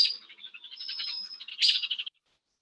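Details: Small songbirds mobbing a screech-owl scold in a busy, high-pitched chatter of buzzy chips and thin whistles, ending in a sharp burst of rapid notes.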